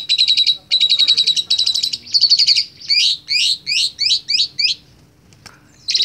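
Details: Young Asian pied starling practising its chatter: a run of loud, dense rattling bursts followed by six sweeping, slurred whistled notes in quick succession, then a brief pause and another rattle.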